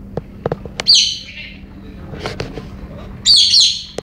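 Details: Pet female galah in a one-time crazy, excited spell with other birds present: a harsh descending screech, scattered clicks and taps, then a second rasping screech.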